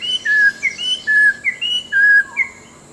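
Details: Orange-breasted laughingthrush of the Langbian Plateau highlands, southern Vietnam, in dense scrub at forest edge: a string of short, clear whistles alternating high and lower notes, about eight in three seconds.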